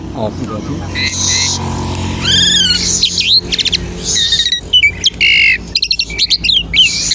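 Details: An Asian pied starling sings as a lure to get other starlings singing: harsh noisy bursts, curved whistled sweeps, rapid clicking trills and abrupt chattering notes, loud and irregular, over a low background rumble.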